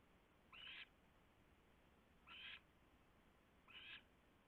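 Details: Owl perched on a nest tray at night, 3 February 2016, arriving as its mate returned and staying until it flew off at 3:40 AM; three short raspy hissing screeches about one and a half seconds apart over steady background hiss.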